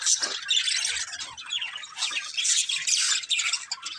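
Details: A group of budgies pours out rapid, harsh warbling chatter, overlapping squeaks, rasps and thin chirps in an unbroken stream across four seconds.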